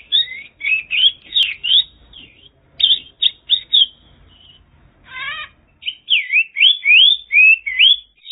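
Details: Rapid, restless song of a Mongolian lark from China: quick twisting chirps and swooping notes tumble over one another, with a brief stacked trill in the middle and a fast run of looping notes to finish.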